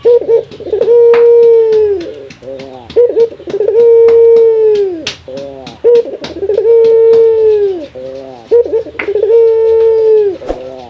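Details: Male local Barbary dove calling to challenge a rival, giving a rolling stutter that leads into a long, level coo, repeated about every two and a half seconds, indoors-sounding.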